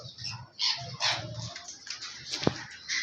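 An Alexandrine parakeet gives a few harsh, rasping squawks in short bursts, with rustling, a sharp click and a low background hum.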